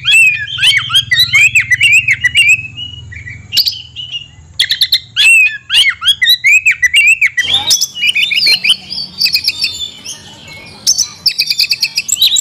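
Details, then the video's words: Oriental magpie-robin delivering a rich fill-in style song: a fast, varied stream of high whistles, sharp chips and buzzy trills, shifting pitch constantly with brief pauses, rising higher toward the end. "kacer isian mewah"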